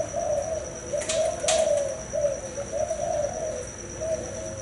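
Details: Male spotted dove that has fathered several broods, cooing in the style called thái hậu 4 in Vietnam. Its low, soft, hooting coos run in short phrases over about four seconds against a steady high-pitched whine and a background hiss.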